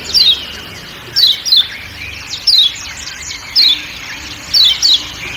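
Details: Ciak ciak calls of a kecial kuning from Lombok with forest ambience: bright, high chirps sliding downward, often doubled, repeated roughly once a second over faint background hiss.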